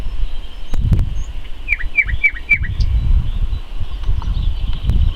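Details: Common nightingale singing in May 2014: a short run of four quick, downward-slurred whistled notes, evenly spaced, over steady low rumbling wind and handling noise with scattered clicks.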